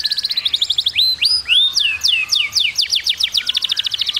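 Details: Canary delivering a quick buzzy trill, then several bright upslurred and looping whistles, followed by a run of crisp descending notes repeated several times a second.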